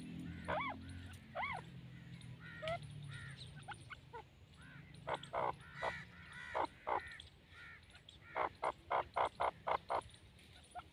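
A grey francolin gives loud, ringing, harsh notes that build into a quick run of repeated calls, about three or four a second, over a low early rumble.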